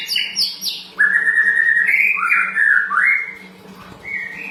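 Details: Sooty-headed bulbul song played as a lure to make birds reply: a few quick high chirps, then long smooth whistled notes that rise in steps and level off, over a faint steady hum.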